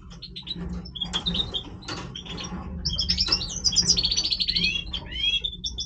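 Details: Major goldfinch breeding song: scattered chirps building into fast, loud twittering, a buzzy rattling trill and several rising whistled notes at the end, a low hum underneath.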